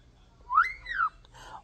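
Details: Pet talking European starling whistling a clear two-part note that rises then falls, followed by a brief soft rustle, indoors.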